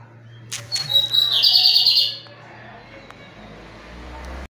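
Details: Strongly singing lined seedeater, pirata style: a couple of sharp high notes open into a dense, ringing, rapid trill lasting about a second and a half, followed by near silence with low hum.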